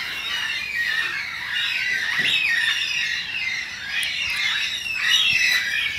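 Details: Carnaby's black-cockatoos, an endangered species, in a suburban backyard in Perth, Western Australia. The birds give dense, overlapping harsh squawks and screeches that rise and fall in loudness, with sharp louder bursts near the end.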